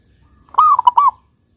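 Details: A single phrase from a local zebra dove with the big "kung" voice: a warm, slightly rising then falling drawn coo breaking into three clipped rounded notes, clear and close, quiet otherwise.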